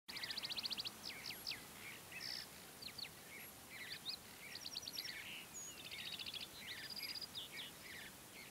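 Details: Mountain bluebird juveniles being fed by adults in early morning light at Great Sand Dunes National Park, Colorado; dense, high chattering with rapid ticking note series and short buzzy bursts, several birds calling over a steady background hiss.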